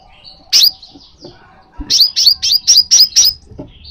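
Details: Crimson sunbird call used to set a kept sunbird singing: one sharp piercing chip, a pause with faint thin notes, then a rapid run of six evenly spaced high chips.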